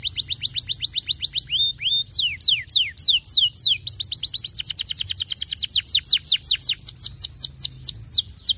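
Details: Canary singing, played to stimulate lazy canaries: long varied song of rapid repeated high notes, fast trills alternating with slower downslurred and upslurred whistles, loud and continuous throughout.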